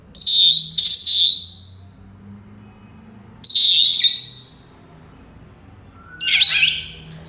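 A Senegal parrot gives four loud, high, shrill whistled bursts, each under a second, spaced unevenly over seven seconds, over a faint low room hum.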